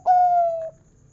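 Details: Single long, smooth coo from a local zebra dove with a big 'kung' voice, held steady and sliding slightly lower before cutting off, against quiet low background noise.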